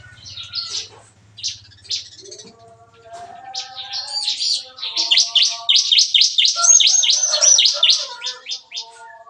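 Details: Bar-winged prinias kept in an aviary at a breeding farm, morning 'nembak-nembak' singing: scattered chirps build into a fast run of sharp, evenly repeated high notes, about three per second, with fainter calls from other birds behind.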